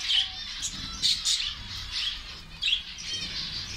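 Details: A colony of zebra finches being fed egg food chatters in a busy group, with short high nasal chirps and squeaks overlapping in bursts every half second or so.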